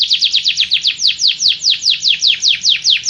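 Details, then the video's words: Canary repeating a steady rolled phrase of sharp downslurred whistles, about five per second, evenly spaced and loud. "تغريد مع جميع أنواع طيور الكناري"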